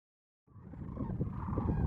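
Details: Sandhill cranes at Monte Vista NWR, Colorado, on 22 March 2014, recorded through a spotting scope with a phone: low, rolling, gobbling calls from many birds building up after a half-second of silence.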